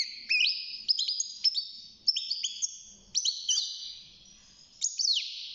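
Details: Six-month-old European goldfinch in a cage starting to sing, delivering short bursts of bright, high twittered phrases and quick upward-slurred notes separated by brief quiet gaps.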